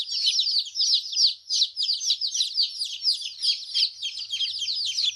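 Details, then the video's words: Several chicks peeping nonstop, bright high cheeps in quick overlapping bursts, with a faint low hum near the end. "Chicks chirping Sound baby chicken"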